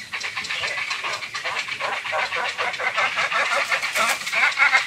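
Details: Grey heron nestlings at a crowded breeding colony on an island: a chaotic din of rapid, harsh, clattering chatter pulsing about three times a second, with many birds calling over one another without pause.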